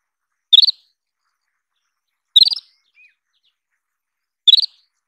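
Isabelline Wheatear giving three short, bright chirps about two seconds apart, each a quick high descending flutter, against near silence with one faint thin note.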